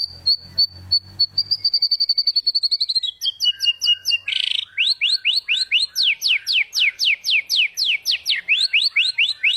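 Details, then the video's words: White-rumped shama (murai batu), an Indonesian songbird used in singing contests, performing filler song to train birds that went quiet. Steady high repeated whistles over a low hum lead into fast, evenly spaced falling sweeps. "Suara burung murai batu bongkar isian gacor.. COCOK UNTUK murai macet bunyi.."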